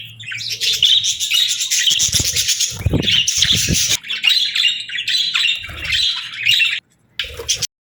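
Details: Budgerigar warbles and scratchy chirps in rapid runs, with a few dull low knocks in the background, ending in a short break and a final burst.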